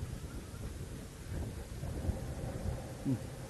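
Only low wind rumble and faint background murmur are heard, with no clear animal call.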